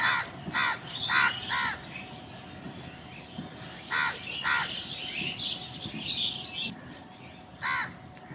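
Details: Several crows squabbling over food call in loud, hoarse caws, delivered in a quick run of four at the start, then paired caws, then one more after a gap, with faint twittering birds and constant low hum behind.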